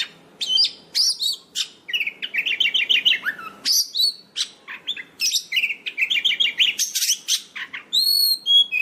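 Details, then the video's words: White-rumped shama song used for luring and training birds: dense, varied chattering phrases mixing sharp chips, quick trills and whistled notes, almost without pause. "Suara Kacer Gacor sound pribadi,Ampuh"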